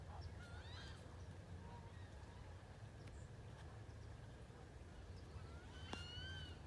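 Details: Wood ducks in 2018 give thin wavering whistles near the start and a clearer rising-falling squealed whistle near the end, over a constant low background rumble.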